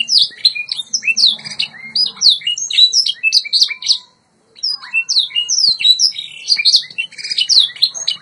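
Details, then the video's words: A white Yorkshire canary sings a fast, high, unbroken stream of bright chirps and rolling trills, pausing briefly halfway before resuming; this is a song-training recording. "White Yorkshire Canary Singing"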